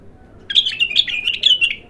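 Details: Bulbul, raw and singing for the first time, pours out a bubbly phrase of around a dozen quick whistled chirps that bounce up and down for over a second, ending in a short fading note.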